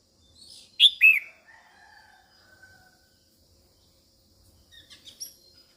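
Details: Female red-whiskered bulbul calling to excite males, two loud falling notes early, followed by softer trailing warbles and a scatter of thin high chips at the end.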